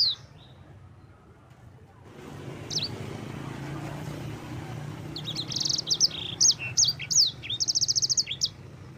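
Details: Yellow-fronted canary (sanger) in full song, used as a master recording for training other birds: a high, bright song of quick twittering notes and fast buzzy trills in bursts over a low steady hum.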